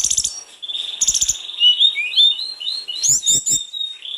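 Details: Snowy-browed flycatcher in lively, full-repertoire song, used to stimulate singing: rapid high twitters run into a long, wavering whistled passage of slurred notes, with a few sharp clicks mixed in.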